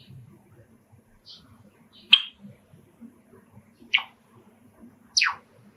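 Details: Male pet Java sparrow sings indoors, excited by house sparrows calling from a park outside an open, screened window: a few soft high notes, then three sharp, high chirps sweeping downward, each well over a second apart, over a low hum.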